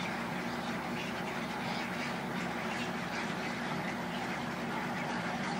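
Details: Thousands of egrets arriving at their roost give a dense, unbroken chorus of harsh, croaking calls, overlapping into a steady rasping din with no pauses.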